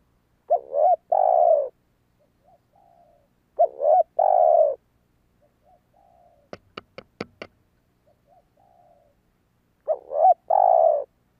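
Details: Spotted dove call used to lure wild doves: loud two-part coos, short wavering notes then a long drawn-out coo, repeated three times about every three seconds, with fainter answering coos and a burst of sharp clicks between.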